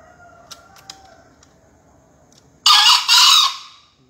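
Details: Finalist green junglefowl at a 2020 crowing contest in Surabaya, Indonesia, delivering a single raspy, explosive two-syllable crow after a stretch of quiet murmur and faint clicks, the second syllable longer and trailing off.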